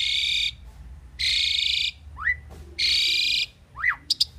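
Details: Pied myna song made of loud, harsh buzzy rasps about half a second long, alternating with rising whistled upslurs, over low background rumble.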